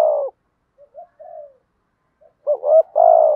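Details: Spotted dove, male and female, cooing as a decoy meant to excite wild males into calling quickly. A deep soft coo, quieter hollow notes, a pause, then rising double notes and a long mellow coo.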